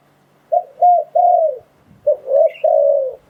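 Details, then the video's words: Spotted dove cooing used to attract wild doves for trapping; two phrases, each two short coos and a drawn-out falling coo, clean and close, with a faint high chirp. "เสียงต่อนกเขาใหญ่ "ไม่มีโฆษณา ผ่านการทดสอบ - Tiếng Chim Cu Gáy Dùng Để Đi Bẫy Gọi Bổi Hay Nhất 2022."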